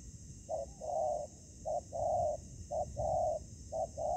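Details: Spotted dove coo from a ground-decoy trapping session in Vietnam, a decoy meeting fierce wild doves. Mellow low coos come in short-long pairs: a brief note, then a longer drawn coo, about once a second, over a faint steady hum.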